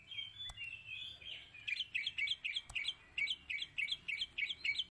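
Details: Mating in a cage, a rainbow lorikeet chatters with a steady string of short, shrill, squeaky notes, roughly three per second, after a brief wavering whistle and two sharp clicks.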